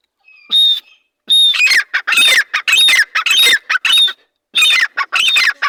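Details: A pair of partridges: two loud, shrill notes, then a run of raucous, squawking calls in quick, uneven bursts.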